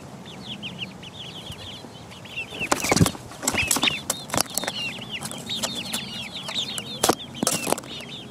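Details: Chicks aged four weeks peck around. Continuous high peeping from several birds mixes with loud, sharp pecking knocks that cluster near three, four and seven seconds.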